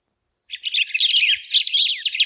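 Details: After a brief silence, a golden-billed saltator bursts into rapid, tangled warbling, slurred chirps growing louder and denser toward the end.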